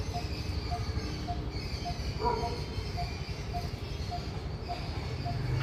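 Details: Coppersmith barbet (Psilopogon haemacephalus) calling from about 10 m above a building, repeating a hollow, metallic 'tuk' note about twice a second in a steady series, over a loud low rumble of traffic and a brief voice.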